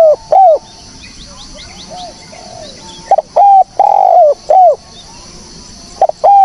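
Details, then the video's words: Spotted dove cooing, recorded as a lure for trapping birds: a falling coo, a quiet gap with soft murmured notes and high thin chirps, then a loud sequence of short and long coos each ending with a downward slide. "SUARA BURUNG TEKUKUR BERSIH JERNIH, cocok buat pancingan / pikat"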